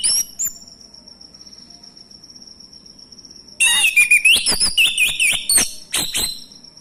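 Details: A male orange-headed thrush, played to provoke quiet birds into song, gives a quiet opening, then bursts into a fast, varied run of twittering whistles and sharp chips over a steady high hum.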